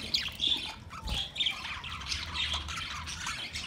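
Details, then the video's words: Budgerigars, Australian parrots, recorded 13 March 2024: busy high chattering and warbling chirps with a squawk or two, many overlapping notes, soft low rumble beneath. "Beautiful Australian Parrot sounds Budgie Sound"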